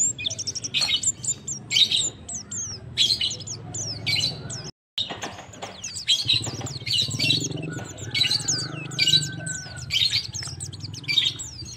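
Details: Male white-eye calling to a female: rapid, high-pitched twittering and chirping in dense bursts, with short quick notes overlapping through most of the stretch, and a brief silent gap midway.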